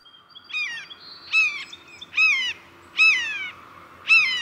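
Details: Blue jay (Cyanocitta cristata) mimicking a red-shouldered hawk: five loud, harsh, down-slurred 'kee-yah' screams, one roughly every second, over a faint low hum.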